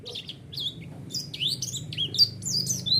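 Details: High, quick white-eye warble used as a provoking lure: sharp up-and-down slurred notes in rapid sequence, growing busier toward the end, over a faint low background hum.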